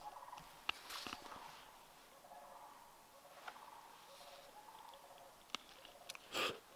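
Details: Trumpeter swans, as a viewer identifies them, give distant soft, nasal, horn-like honks in loose bursts during an overnight bushcraft camp, with camp clatter and sharp knocks nearby.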